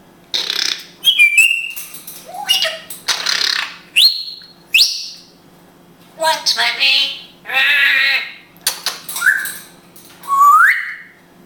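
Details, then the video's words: Israeli pet African grey parrot speaking Hebrew indoors: a run of speech-like syllables with breathy, voice-like bursts mixed with sharp rising whistles and squeaks, about a dozen separate utterances with short pauses, in a quiet room. "Funny Grey African Parrot speaking hebrew"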